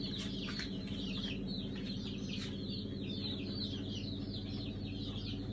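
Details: Hatchery batch of Brahma chicks emerging on 5 August 2019, a chorus of high piping peeps repeated roughly once a second, layered and steady, over a strong low-pitched motor hum.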